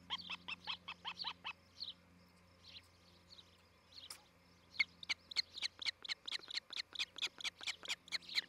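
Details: Nesting ospreys, a breeding pair on a treetop nest camera in Charlo, Montana, July 2018 morning: bursts of quick, piercing chirps repeated around twice a second, pausing briefly, then resuming in a steady run, with low background hum.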